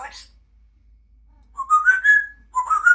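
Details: A female pet grey parrot gives a quick chirp, then two rising, slurred whistles about a second apart, clear and slightly buzzy, indoors.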